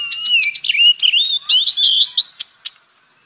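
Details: Purple-throated sunbird, called kolibri ninja, gives a quick high twittering phrase of slurred whistles and curled notes, fading into two separate sharp chips and then silence.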